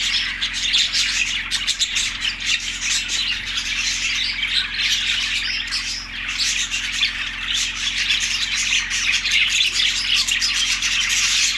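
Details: Budgies recorded on March 14, 2024, tagged Larkana, Sindh: dense, continuous chirping and chattering from many birds. High twittering notes overlap without pause for the whole stretch, with a steady low background hum.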